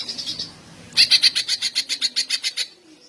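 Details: Greater green leafbird delivering long song bursts to provoke other males and arouse mating urge; a quiet buzzy opening, then a quick run of about fifteen ringing, identical whistled notes at steady pace.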